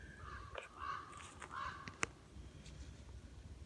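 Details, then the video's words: A crow gives three or four harsh, hoarse caws in quick succession in a northern Michigan wet, burnt woodland, with low wind rumble and a sharp click in the background. "You hear that big old crow?"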